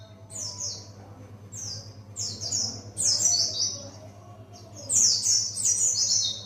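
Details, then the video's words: Pleci buxtoni practising ngalas, the wild song style. Bursts of sharp, high descending whistles separated by short pauses, over a constant low electrical-like hum. "Pleci Buxtoni belajar ngalas"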